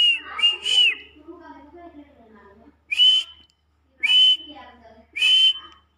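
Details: Black francolin calling, a sound meant to excite francolins: three short, harsh, whistled calls about a second apart, each a sharp, slightly rising note with a buzzy edge, preceded by a fainter, lower warbling sound.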